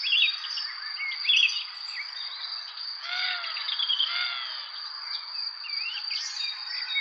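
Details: Bird chirping and squawky notes: clusters of high tweets early on, then rough arched calls repeated twice near the middle, over a constant shrill insect-like drone.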